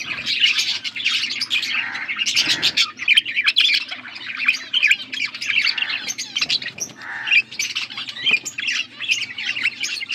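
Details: Budgerigars, blue, feeding each other, with a long stream of loud chirping and harsh warbling chatter, broken by brief gaps.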